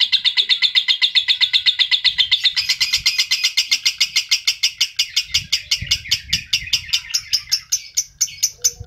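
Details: Chattering song of an adult lovebird, used to stimulate other adult lovebirds: a rapid string of high notes that turns harsher after a few seconds, then loosens and fades slightly, with faint low rumbling behind.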